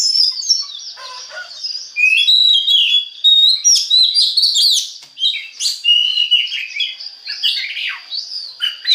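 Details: Oriental magpie-robin (kacer) song played to stimulate other birds to sing: loud, varied whistled and scratchy phrases, rapid trills and sweeps, with a steady high tone running beneath.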